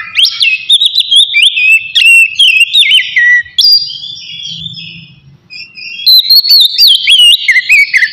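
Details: Relaxed Oriental magpie-robin song used to arouse singing and breeding drive: clear loud whistles in wavering, stepping phrases with interleaved sharp clicks, a short quiet gap with a low hum, then a fresh run of rising whistles.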